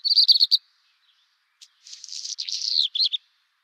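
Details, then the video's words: Redstart singing: a run of quick, bright, repeated high notes, a short pause, then a longer scratchy, warbling twitter that ends in a few clear, slurred notes. No other sounds. "rouge queue"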